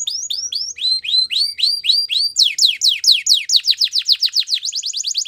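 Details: A Belgian canary sings repeated hooked whistled notes, then switches to quick falling sweeps and finishes with a fast high rattle-like trill.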